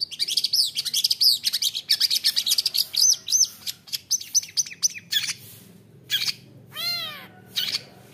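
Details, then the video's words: Long-tailed shrike, caught young from the forest, in a dense burst of mixed high chatter and mimicked notes, then a pause and a few separate whistled phrases, one with rising-and-falling stacked tones. "cendet dari MUDA HUTAN gacor fighter isian ROLL TEMBAK MEWAH | bikin cendet lain langsung emosi"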